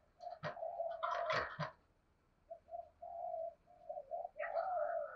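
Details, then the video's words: Spotted dove used as a lure, 'giọng thổ' voice style, full set of thúc, gù and gáy: steady low coos under loud rattling knocks, then a sequence of short coos and a longer rounded note. "Chim Cu Mồi giọng thổ Bài Bản thúc + gù + gáy Gọi đủ bài"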